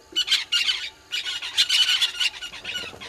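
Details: Southern red-billed hornbill at Gowrie dam waterhole on Djuma Game Reserve, Sabi Sand Wildtuin, South Africa, filmed by a live waterhole camera at 06:08 on 20 March 2022. Harsh, squawking bursts come in quick clustered series with brief pauses.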